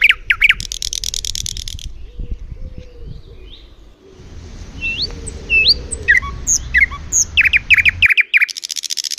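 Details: Birds singing among flowers: fast chirps and a buzzy trill, soft whistled slurred notes over low rumbling background noise, then a run of rapid chirps and another trill.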